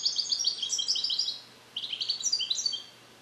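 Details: European goldfinch male bred in captivity in the USA in 2021, song-trained with Neapolitan passages and still incomplete, alone in a carrier: dense, fast, tinkling twitter, a short break, then another run of bright, jumbled high notes.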